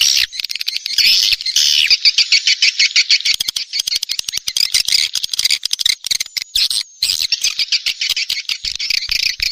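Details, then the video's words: Rainy-season swiftlet lure call, SP Neptunus, meant to attract the birds: unbroken, thick, high-pitched chattering and chirping, laced with rapid clicks, holding steady with only a few short breaks. "SUARA PANGGIL BURUNG WALET"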